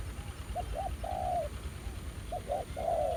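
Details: Spotted dove coos near a ground decoy as a fresh wild male reacts aggressively. Two quick short notes lead into a long, slightly falling mellow coo, with the phrase heard twice.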